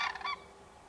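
A common crane gives two quick, loud, trumpeting honks in the first third of a second, then falls silent over faint background hiss.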